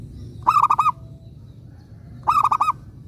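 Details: Local zebra dove singing actively as a lure to make other zebra doves reply: two quick bursts of about five mellow, evenly pitched cooing notes, nearly two seconds apart, with steady low hum behind.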